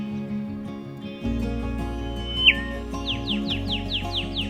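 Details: Rufous Whistler, one of a pair in scrub on a hot, humid day: one clear falling whistle, then a quick run of about seven sharp down-slurred notes, over steady background music.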